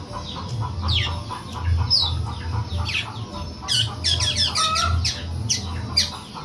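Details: Long-tailed shrike singing vigorously, imitating a cat. Descending slurred notes are followed by a dense burst of sharp, high chattering notes and one longer, lower tone, with a constant low hum underneath.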